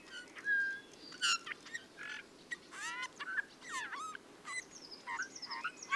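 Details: Eurasian bullfinch singing with a grating, metallic, creaky voice: a rapid irregular string of harmonic-rich rasping notes, sweeping up and down and squeaky, mixed with brief thin whistles, over a low steady background hiss.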